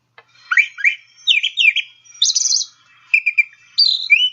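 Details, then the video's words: Brown Thrasher song: a mimicked series of varied, rich whistled and buzzy phrases, each given twice in quick pairs, switching to a new phrase about every second. "So here's a brown thrasher singing."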